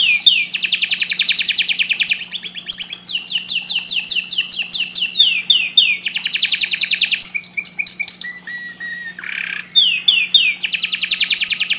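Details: Canary singing very actively: loud, fast rolling trills and runs of repeated downslurred whistles, switching between tours every few seconds, with a short harsh buzz and pure whistled notes between phrases.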